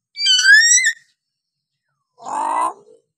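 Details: Hill myna in a training recording for quiet mynas: a loud, clear, slightly rising whistled call with strong overtones, then after a pause a lower, nasal, buzzy call ending in a short downslur.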